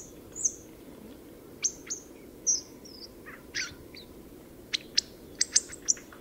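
A Hawfinch gives sparse, sharp high 'tzik' ticks and short buzzy notes at irregular intervals, with a faint low hum in the background.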